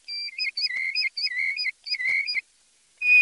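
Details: European golden plover delivering a rapid rhythmic series of wavering whistled notes, rising and falling continuously for over two seconds, then a pause and a single louder whistle.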